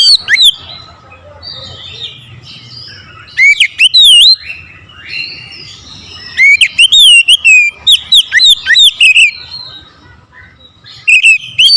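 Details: Oriental magpie-robin challenging a rival with aggressive song: clipped loud whistled notes in several bursts, sweeping rising and falling phrases with buzzy harmonics, quiet gaps between bouts.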